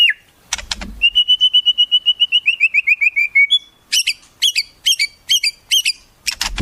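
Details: White-rumped shama with song learned from wild birds: a steady series of about twenty rapid whistled notes slowly dropping in pitch, followed by six spaced high sharp chirps, with clicking noises at start and end.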